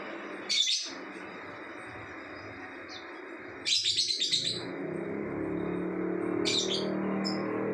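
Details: Lovebird's continuous 'ngacor' song: a sharp shrill chirp, a fast rattling trill of rapid high pulses, then a short high twittering burst, with rising low background rumble.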